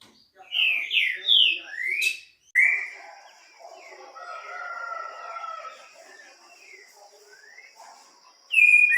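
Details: A green-winged saltator delivers a fast phrase of several loud slurred whistles, followed by a sharp knock, a long steady high tone, and softer mixed background sounds.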